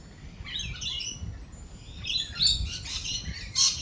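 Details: Lorikeets amid rolling thunder and lightning utter harsh, high, scratchy screeches in irregular bursts, with sharp squeaks, over a continuous low rumble.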